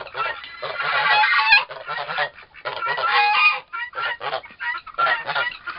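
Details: Young turkey toms, two of them about four months old, squabbling during a long fight: long harsh grating bursts lasting over a second each, separated by short pauses, uneven rhythm.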